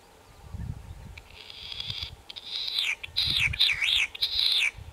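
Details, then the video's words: Latham's snipe recorded handheld on 28 May 2020; after a quiet start, harsh buzzy notes around mid-high pitch build up, then give way to loud wavering, rising-and-falling rasping calls in quick succession, with low rumbling background noise. "オオジシギ 鳴き声 Latham's Snipe"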